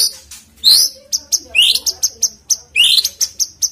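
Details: Lure recording of a white-rumped shama. Sharp, high notes are repeated about once a second, broken by fast rising whistled sweeps.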